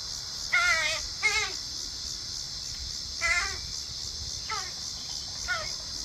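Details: Crows, a family group visiting a backyard for a dinner of hardboiled eggs, give harsh harmonic caws: five calls, the first two close together, then three spaced about a second apart, over a steady high insect drone.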